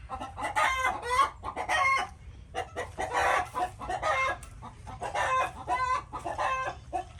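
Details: Chickens keep up a busy chorus of raspy clucks and drawn-out squawks, rising and falling in short bursts with no real break.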